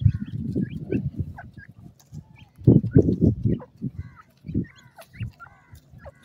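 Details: Grey francolin with chicks in forest: short harmonic notes, some rising and some falling, given in small clusters, loudest near the end, over heavy low rumbling and thumping.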